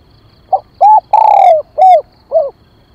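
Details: A single cooing phrase from a spotted dove calling as a decoy to attract other doves: a short soft note, a clear coo, a long downward-sliding coo, then two more coos fading away. Faint high pips sound in the background.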